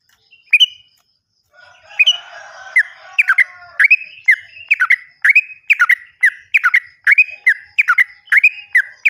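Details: Yellow-vented bulbul song used as a lure to restart singing in birds that have gone quiet, also for untrained birds: an opening note, then a lively series of loud chirpy, slurred notes repeated about twice a second.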